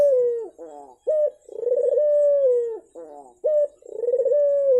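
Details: Turtle dove cooing, used as a lure to make a silent dove start calling: low, drawn-out purring coos, each ending in a falling tone, alternating with short rising notes about every two seconds.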